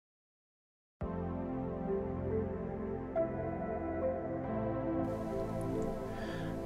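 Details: Soft ambient synthesizer music with sustained chords begins after a second of silence; no animal sound is heard.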